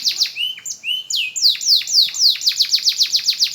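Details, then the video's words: AF canary relearning its song after the moult opens with a few slurred rising and falling whistles, then speeds into a rhythmic run of sharp downslurred notes, several per second. "BURUNG KENARI AF BELAJAR BUNYI PASCA MABUNG"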